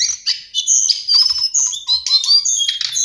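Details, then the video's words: Lesser shortwing (Brachypteryx leucophrys) song for training songbirds: a rapid, dense chatter of high chirps and whistles, mixed with short, lower clicking notes, running continuously. "Master Pancingan Burung cingcoang/jongkangan coklat"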